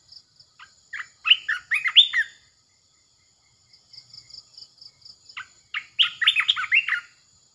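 Red-eyed Bulbul giving two bursts of bubbly, chattering notes that jump and slur between mid and high pitch, with softer high chirps in between.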